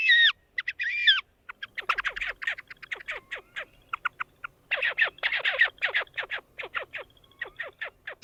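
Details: Horned Grebe, most vocal early in the breeding season and mostly silent in June and July: a couple of squealing notes, then a long run of fast, raspy, thin notes in uneven bursts, a weak braying whinny, softer than the Red-necked Grebe's.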